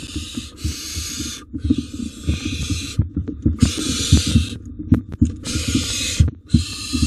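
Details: Wild barn owls in a monitored nest box as the parents deliver two rodents: long harsh breathy hisses lasting about a second each, repeated with short gaps, over low thumps and scraping from movement inside the box.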